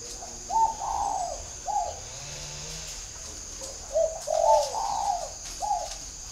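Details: Captive spotted dove kept as a decoy, noted for its whistle-like voice; repeated low cooing phrases, a short note followed by longer drawn coos, recurring about every few seconds, with a steady high background hiss.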